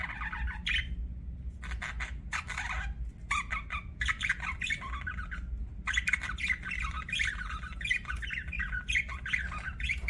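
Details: Budgerigar chattering almost nonstop: raspy squawks, clicks and fast warbled phrases building into a dense babble, over a faint low hum.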